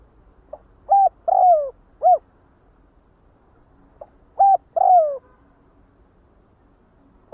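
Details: Spotted dove calling the flock in two phrases about four seconds apart, each a brief note, a short coo and a long descending coo, the first ending with an arched coo; quiet background.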